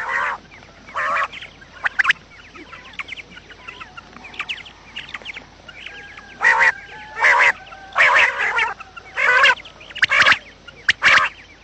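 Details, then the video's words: Quail sounds for trapping, said to be from morning: soft scattered chirps early on, then a series of loud, harsh, buzzy bursts roughly every half to one second. "batair Subha ki awaz | quail sound effect"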